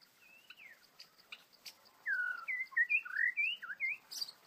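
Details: White-rumped shama singing in the wild, presented as an angry trapped bird: loud varied phrases of clear whistled notes sweeping up and down, delivered in a quick run of about ten notes, with faint clicks and a steady insect pulse.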